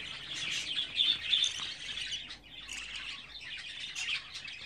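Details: Budgerigar chicks, 24 days old, kept as pets; dense high chirping and chattering calls in quick bursts, overlapping and rising and falling, with brief pauses between flurries.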